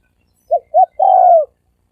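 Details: Thổ sấm đồng coo of a spotted dove, a lure for males, females and wild birds: two brief rounded notes followed by a drawn-out descending croo in a quiet setting.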